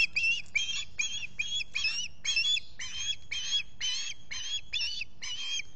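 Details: Osprey squawking at its Finger Lakes nest, US, on a July 2021 morning: a steady run of about twelve piercing, slightly slurred notes, closely spaced, with faint low background rumble.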